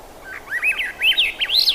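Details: Thrush delivering a short, lively warble of arched, slurred whistles that climbs in pitch across the phrase, with quiet ambient hiss behind.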